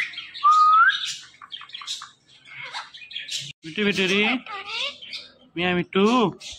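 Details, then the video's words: Talkative pet green parrot starting with a rising whistle, then soft chatter, followed by several voice-like throaty bursts with a nasal, speech-like quality, the last ones short and buzzy. "Talkative Green Parrot"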